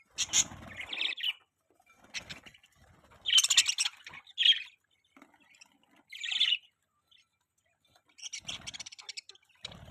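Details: Budgies give separate bursts of harsh chirps and squawks several seconds apart, with quiet gaps between the outbursts and a faint low rumble at the start and end.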